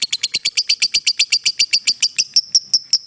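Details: Lovebird giving a long 'ngekek' trill used as a master recording for training other birds: rapid, evenly spaced high chattering notes, about eight per second, steady through three seconds, slightly sharper and more whistled toward the end.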